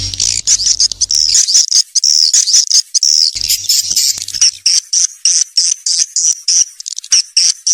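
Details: Twittering swiftlet calls meant to lure young swiftlets into a new building: shrill high chirps, then a quick series of short separate chirps, with a brief low hum at the start.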